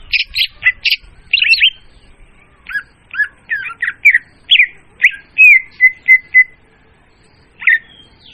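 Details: Loud, clear Oriental magpie-robin lure song for bird trapping: bursts of scratchy notes, then separate slurred whistles, ending in a long level whistled note and one late call.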